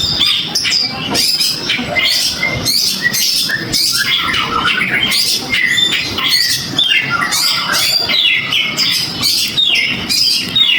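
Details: Oriental magpie-robin singing in response to a stimulus meant to prompt it: loud, dense run of harsh chattering, squawky notes and quick twittering phrases, barely pausing throughout.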